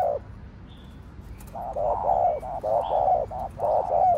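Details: Spotted dove in the Thổ Đồng voice, a fast stimulating coo: quiet at first, then from halfway a dense burst of low, mellow coo notes run together, with faint distant bird chirps.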